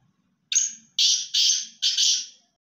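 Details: Francolin, in a Sindhi versus Punjabi partridge calling contest, gives four harsh, grating bursts in quick succession, the second and third run together, with a faint low rumble beneath.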